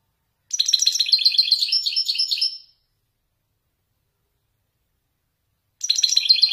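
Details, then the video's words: Male Widani goldfinch from Morocco singing Marrakchi-style nuzulat phrases: a quick run of high, jingling twitters and buzzes lasting about two seconds, then a long silence before a second bright phrase begins abruptly. "حسون ويداني يتفنن بالنزولات المراكشية الأصيلة"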